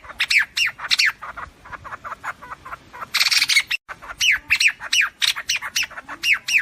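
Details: White-throated fantail flock call used by trappers as a lure: rapid series of harsh, squawky downslurred notes in quick bursts, with a short noisy rasping burst midway, steady through the recording.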